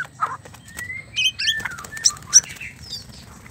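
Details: Mating calls of a white-rumped shama, played to make a male sing. Brief, varied chirps, short rising whistles and a few sharp high notes follow one another quickly over a faint low rumble.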